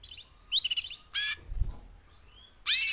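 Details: Canary females, four in the recording, making mating calls to encourage males to sing. Short bursts of high chirps and quick trills are separated by quiet gaps, with a soft low thud in the middle.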